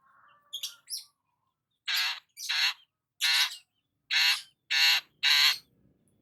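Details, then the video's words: Long-tailed shrike during morning sunbathing, producing loud harsh rasping notes, each about a third of a second long, repeated at uneven intervals after a couple of thin high chirps. "KICAUAN BURUNG CENDET SAAT BERJEMUR DI PAGI HARI"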